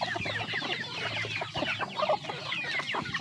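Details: Eating chickens make a short burst of crowded clucking and high cheeps, the notes slurring up and down, with a faint low hum underneath.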